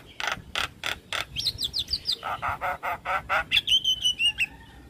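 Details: Javan myna song used to lure other mynas into responding: harsh broadband bursts repeated about three per second, then downslurred whistles, rapid raspy notes and a clear high whistled phrase ending in a falling note.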